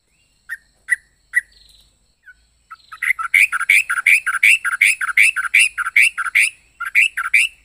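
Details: Yellow-vented bulbul giving an odd, varied song: a few spaced single chirps at first, then a steady stream of rhythmic, repeated chirping phrases about three per second.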